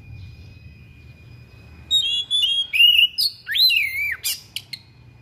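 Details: Thick-billed oriental magpie-robin singing hard through its fill-in repertoire: a rising series of pure whistles, then a looping downward swoop and sharp high accents, about three seconds of varied notes over a faint steady tone.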